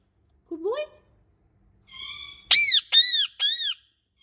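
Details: Pet Indian ringneck parakeet during molting: a short rising squeak, a faint buzzy note, then three loud, harsh arched screeches, each about a quarter second long, at a steady pace.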